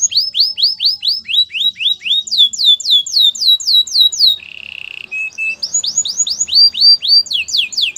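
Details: Canary training song: long runs of quick descending whistles repeated about four times per second, broken by a short buzzy rattle, then more whistled notes.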